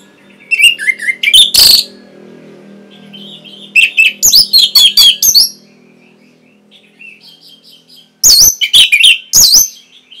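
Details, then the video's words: Orange-headed thrush song from a training recording for caged birds: three loud bursts of varied high chirps, whistles and rapid trills, separated by quiet pauses with faint low hum. "CUKUP 15 DETIK ANIS MERAH PASTI MENGIKUTI KICAUAN MASTERAN INI"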